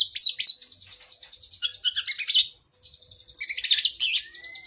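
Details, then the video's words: Oriental magpie-robin (kacer) in long masteran song for cage birds: loud buzzy high bursts and rapid trilling, a short pause, then renewed dense chatter ending in a thin rising whistle. "Masteran Burung kacer Gacor isian Panjang Paling Ampuh"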